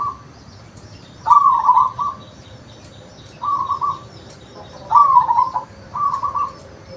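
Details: Local zebra dove recorded for luring: four trilled coo phrases, alternating longer and shorter ones, spaced about one to two seconds apart, with faint clicks in the background.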